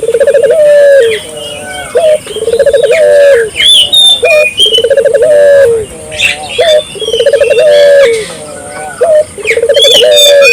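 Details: Barbary dove in full voice, meant to set local doves calling: about five low coo phrases spaced roughly two seconds apart, each with a trilled, pulsing centre and a level tail, over busy chirping of other birds.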